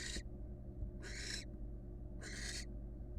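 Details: Female barn owl, wild, after entering her nest box for a one-legged rest; three rasping, breathy hiss bursts spaced about a second apart, over a constant low electrical hum.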